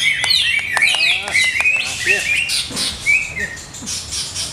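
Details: Greater green leafbird in captivity, its owner still adjusting its setup; quick burst of sharp chips and high sliding whistles that breaks into scattered rising notes and slurred phrases.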